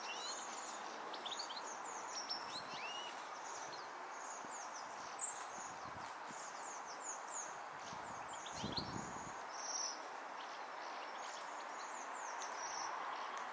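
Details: In December 2023, a flock of waxwings visiting a tree to eat its berries gives many thin, very high, sibilant trills that overlap almost continuously, over a steady rushing background of wind or rustling.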